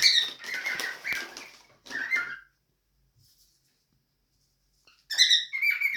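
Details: Two pet cockatiels "talk" to each other, chattering back and forth in harsh, buzzy bursts with scratchy squeaks, broken by a short silence; one seems to be complaining.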